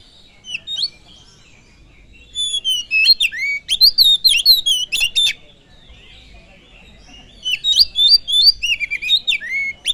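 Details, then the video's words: Oriental magpie-robin song used as a lure to provoke other birds: loud, varied whistled phrases with sharp down-slurred notes and rapid chips, delivered in two bursts separated by a quiet pause. "Pancingan kacer full durasi || SEKALI PANCING BURUNG ANDA LANGSUNG PANAS"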